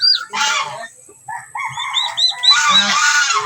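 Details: Domestic turkeys kept in a backyard: two bursts of raspy, honking calls, one early and one late, with softer thin chirps in the quiet middle.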